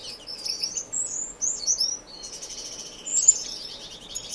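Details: Indoor non-breeding community aviary finches in Edmonton, Canada, in March: continuous high twittering, with looping whistled notes, buzzy trills and overlapping chirps from several birds.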